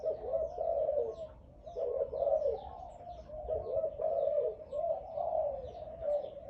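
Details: A loud-voiced dove kept for sale gives a series of low, soft coos in rounded phrases, each about a second long and repeated with short pauses. The setting is quiet apart from faint background rustling.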